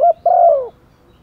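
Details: Female spotted dove used as a decoy, calling to males in the rainy season: a single phrase of a short wavering double coo followed by a longer, mellow falling coo, then quiet.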